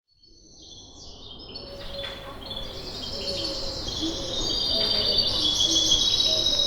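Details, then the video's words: Morning birdsong recorded on a Zoom H5 in Kipseli, Athens, Greece: a swelling chorus of overlapping high chirps, trills and descending whistles that fades in from quiet, with soft lower warbling and steady background hum. "Birds Chirping Sound Effect"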